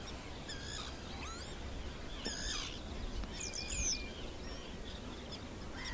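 Ruddy Turnstone giving scattered high, quick chattering notes and short sweeping chips, fairly faint over a steady rumble of wind or surf.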